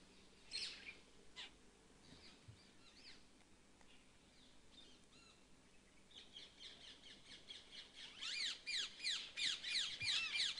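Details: Jungle babblers in Sariska Tiger Reserve, Alwar district, Rajasthan, India, among scrub-thorn and dry deciduous forest. A few scattered harsh squeaky notes, then a rapid, dense run of repeated chattering calls building toward the end.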